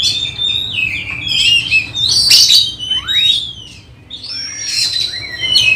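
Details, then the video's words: Oriental magpie-robin tested for songbird-contest readiness, singing loud whistled slurs that sweep sharply down and up, broken by harsh bursts, with several singers overlapping and a steady low hum behind. "Test Mental Kacer Persiapan Lomba Burung Berkicau"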